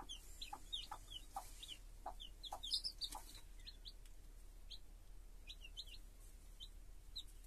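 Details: Chicks beside their hen give scattered high, short peeps with a downward bend, busier at first, then sparser. Light tapping and a low background hiss are heard.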